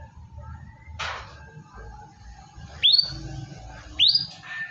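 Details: White-rumped shama (murai batu) song, played to coax a quiet shama into singing: a sharp noisy burst, then two loud rising whistled sweeps about a second apart, over a steady low rumble.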